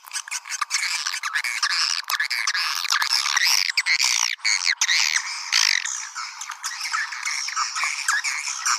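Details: Swiftlets heard in a call used to attract the birds: a continuous, crowded twittering of high chirps and squeaks.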